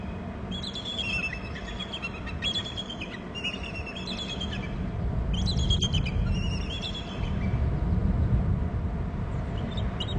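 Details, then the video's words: Two bald eagles calling while flying on a chase over their Hornby Island nest territory, then landing as two others fly. Bursts of high, thin, stuttering chirps come in rapid runs, four main bouts with a short late one, over a steady wind rumble. "both are calling and flying on a chase"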